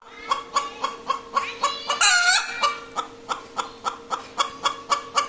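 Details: Hen calling after laying an egg: rapid clucks about four per second with a drawn-out, wavering squawk in the middle, a steady low hum underneath.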